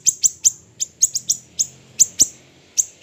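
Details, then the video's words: Small siri-siri bird, training recording: thin, sharp, high-pitched chirps spaced irregularly about every quarter second, slightly smeared and ringing, with a quiet hum behind. "MASTERAN HANDAL burung siri siri kecil"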